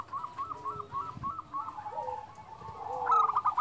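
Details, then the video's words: Zebra dove of a local strain singing loudly, played to lure and train other doves: a fast series of short rolling coo notes, then a louder burst at the end, over a low background rumble. "perkutut lokal gacor SUARA BESAR"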